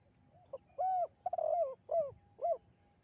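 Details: One full spotted dove phrase, the melodious tekukur kuk-2 song for training birds: quick soft pickup note, a long steady coo, a quavering rolled coo, then two shorter descending coos.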